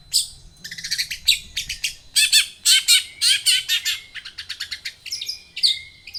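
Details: Long-tailed shrike song as a lure for making birds sing: loud harsh scratchy chattering bursts packed closely together, mixed with short sharp chips and brief flat whistles.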